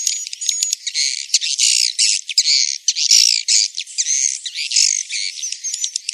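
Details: Swiftlet roosting lure sound, used so young swiftlets feel at home and settle in a swiftlet house; dense high-pitched chirps, squeaky twitters and buzzy chatter in rapid bursts separated by brief gaps, with no low sounds.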